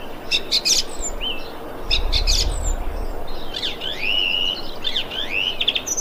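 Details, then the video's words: Thrush calling on 25 February 2021: bursts of sharp high notes alternating with clear rising whistled slurs, several phrases across six seconds, with a brief low rumble in the background. "Thrush bird calling"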